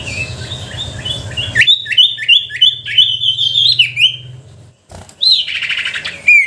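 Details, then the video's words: Sooty-headed bulbul in lively, constant song used as a lure to provoke reluctant bulbuls into singing: a rapid string of bright, chattering whistled notes, some rising and some falling, running for several seconds before a brief pause and a fresh burst. "Suara pancingan sirtu pikat gacor dor,sangat ampuh untuk memancing sirtu malas bunyi."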